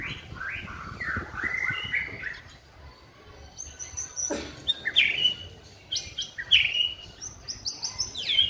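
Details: A white-rumped shama practising song: soft whistled phrases at first, then loud, bright chattering bursts and quick high notes repeated in clusters, with background hum.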